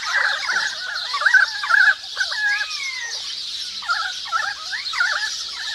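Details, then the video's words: Currawongs in a forest: loud warbled phrases, then long descending whistled slurs, then more bouncing mid-pitched notes, with sparrows and other birds chattering steadily at high pitch throughout. "Call of the Currawongs"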